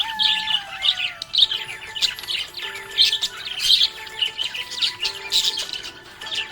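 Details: Happy budgerigar chirping: a dense run of quick high twittering chirps and warbles, nearly continuous, over background music with steady sustained tones.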